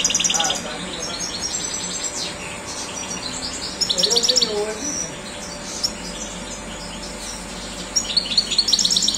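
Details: European goldfinch song: bursts of bright, high twittering and tinkling chirps at the start, around the middle and again at the end, separated by quieter gaps, with faint low murmuring sounds mid-clip.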